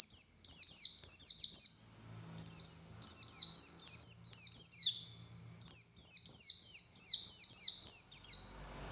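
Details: Oriental white-eye of the buxtoni form singing non-stop 'ngalas' phrases: repeated strings of high, sharp, down-slurred chirps in quick succession, two brief dips in pace, faint low hum beneath.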